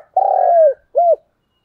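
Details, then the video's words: Lure call of a spotted dove, played in the morning to stir a decoy bird into calling: one long, low, steady coo that sags at its end, then a short arched closing note after a brief gap. "tiếng cu gáy gọi"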